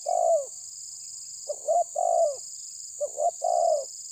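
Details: Spotted dove of tabir style calling to pressure a rival, with mellow hooting phrases of two quick notes and a drawn-out descending coo, repeated three times in regular succession with constant hiss behind.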